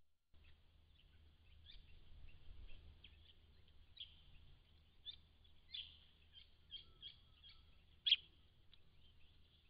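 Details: A large flock of White-browed Woodswallows (Artamus superciliosus) at a pond in December 2016 keeps up a steady chatter of short, high, overlapping chirps, with a few louder notes standing out over a low rumble of wind.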